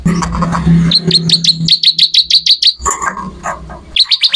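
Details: Bar-winged prinia in full, energetic song, recorded as training material for songbirds: a rapid run of sharp, high chirped notes repeated about five times a second, broken by a brief pause, over a low steady hum.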